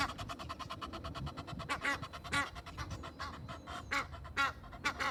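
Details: Egyptian geese in the rain at Kensington Gardens, London, a walking pair answered by two in a tree: rhythmic rasping pulses with scattered loud hoarse honks, over a low background rumble.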